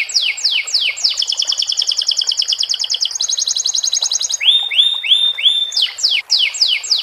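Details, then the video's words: Caged-style canary singing sikatan londo filler phrases: sharp descending sweeps, then a rapid even trill, then rising whistled slurs repeated about every half second, ending in more falling sweeps. "SUARA BURUNG KENARI ISIAN SIKATAN LONDO TERAPI AIR"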